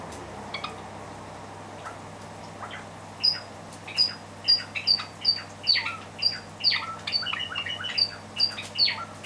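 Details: A pair of Java sparrows, including a white Java sparrow, squabble over hand-feeding food meant for their chicks as one pecks the other away. Sharp, high chirps burst out about twice a second, growing louder and denser from midway through.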